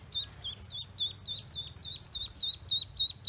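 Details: A newly hatched Pekin duckling on a farm repeats bright, high peeps at a rapid, fairly even pace, over a low background hum.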